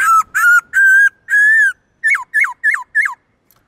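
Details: Black-throated laughingthrush, a caged bird singing many voices: four long, steady, pure whistles, followed by four short hooked notes that each drop sharply.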